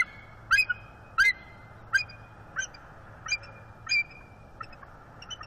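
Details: Bald eagle pair perched together on a branch in northeast Florida on a December morning, with the female giving mating vocals to invite mating. Sharp high chirping notes repeat about every half second over a steady background hiss.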